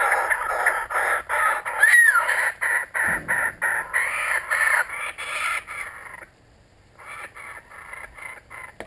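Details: Kookaburras back once more, pouring out rapid harsh hoots for about six seconds, then a pause before quieter cackling resumes.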